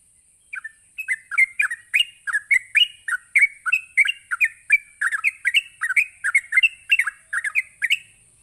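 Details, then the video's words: Sooty-headed bulbul delivering a rapid 'ropelan' song meant to provoke other bulbuls into answering, a dense run of short bubbly, warbled notes falling and rising, about three per second, over a steady high electronic hiss. "Cukup Sekali Pancing Trucuk apapun bakal Nyaut ngropel Emosi dengan suara Ropelan Trucuk ini"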